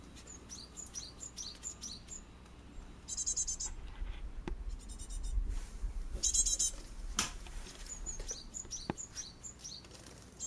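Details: Fledging Japanese tit chicks leave a nest box in a garden Kurogane holly tree, in a residential area near a mountain village, with a pair of parents tending six young. Rapid high, thin peeps repeat in runs, broken by brief rustling and bumping noises.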